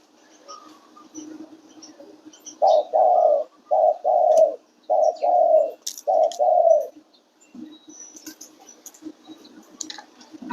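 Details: Spotted dove cooing: a run of about six soft, hollow coos at mid pitch, grouped in short pairs over a few seconds, with faint background noise before and after.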